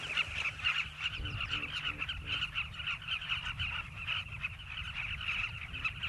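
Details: Southern carmine bee-eaters breeding in riverbank burrows in Zambia's South Luangwa Valley, where the migrants flock yearly: a continuous din of countless rough, clipped calls overlapping from many birds at once.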